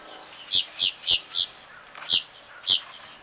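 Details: A Black-bellied Whistling Duck family of a mother and eight young, diving, bathing and preening on water on a cool January 2023 afternoon, gives six short, high, thin whistled notes: four about a quarter-second apart, then two more after a pause, over faint hiss.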